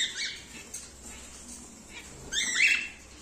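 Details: Emerald mutation cockatiels kept in pairs; a faint chirp at the start, a quiet stretch, then a louder, harsher screeching call lasting about half a second near the end.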